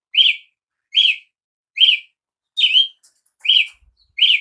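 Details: Brazilian tanager giving sharp, slurred call notes, one about every 0.8 seconds, six in a row, with short silences between them.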